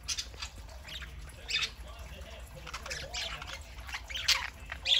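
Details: A household flock of parakeets on a Saturday morning keeps up continuous busy chatter, mixing short scratchy squawks and thin chirps at an uneven pace over a faint low hum.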